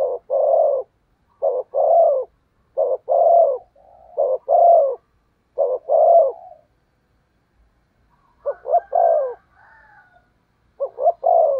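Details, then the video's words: Spotted dove serving as a lure for wild doves, repeating loud cooing phrases of a quick note and a longer throaty coo, a pause, then the series resuming with faint whistles. "Chim Cu Mồi/ cu gáy thúc gù cực đỉnh kích bổi dợt mồi hiệu quả"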